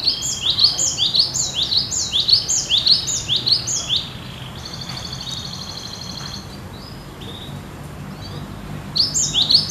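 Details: Cinereous tit singing energetically as in the wild: quick run of high rising whistled notes for four seconds, then a buzzy trill, a pause with background hiss, and the whistles resume.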